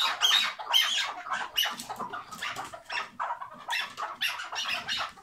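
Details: Hıngırma of a tethered chukar partridge: rough, scratchy chuckling bursts, roughly two per second, irregular and throaty, running through the whole stretch.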